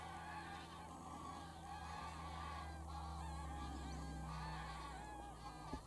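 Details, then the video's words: Lots of geese lifting off and settling at Wicken Fen and Burwell Fen, evening of 23 September 2016; a busy chorus of nasal, overlapping honks over a steady low mechanical hum. "Lots of Geese take off & land"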